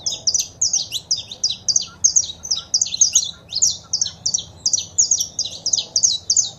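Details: Saffron finch male song with female calls for rousing a pet bird: steady rapid series of high, sharp double chirps, evenly paced throughout.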